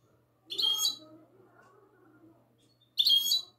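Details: A goldfinch hybrid sings classic-style song on the night of 22 March 2020. A bright, high twittering phrase is followed by a quiet stretch of faint low notes, then a second sharp burst of high chirps.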